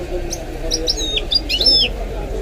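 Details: Short burst of song from a goldfinch–canary hybrid: a few high, sliding whistled notes falling in pitch, some sharp and bright, with low spoken commentary continuing beneath.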